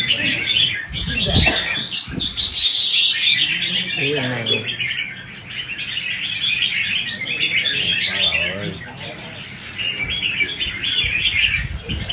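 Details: Red-whiskered bulbul being trained for competitive fighting-style song: a steady stream of sharp, bubbling whistled notes and chatters, broken by a few brief low voices and knocks early on.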